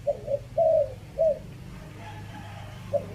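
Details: Spotted dove from Chiang Mai, Thailand, uttering a 'three kuk' decoy coo, phrase style five: two quick soft hoots, a long smooth coo, a shorter coo, then silence before a single note restarts the pattern.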